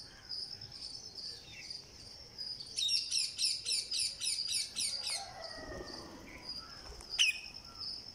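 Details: Green parakeet being fed at day 49 of age gives a run of about eight raspy, pulsed chirps over two seconds. A faint high insect-like tone continues throughout.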